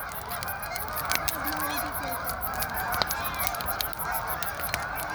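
A flock of Canada geese keeps up a steady chorus of nasal, overlapping honks, with the sharp pops and snaps of a crackling fire close by.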